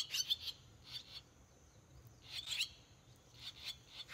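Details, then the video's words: Six barn swallow chicks in a nest at a rural home entrance, 18 days after hatching, give bursts of high, scratchy chirps in quick clusters, with pauses of about a second between groups and a faint steady hum underneath. "ツバメ6羽孵化18日#1 上の子はほとんど差が無くなってきた!?/Swallow 6 chicks in the nest! DAY 18#1"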